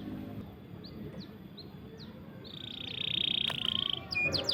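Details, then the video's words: Canary song used to coax stalled or young canaries into singing: scattered soft chirps over a faint background hiss, then a clear sustained metallic trill and a few sharp high notes near the end. "CUIT CUIT NGEROL PANJANG. COCOK UNTUK MASTERAN MAUPUN PANCINGAN BURUNG KENARI MACET ATAUPUN PAUD"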